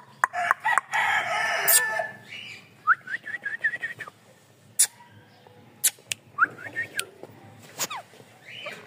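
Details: A green parrot gives a harsh, grating screech, then a quick run of short rising chirps, about five in a second, with scattered sharp clicks between.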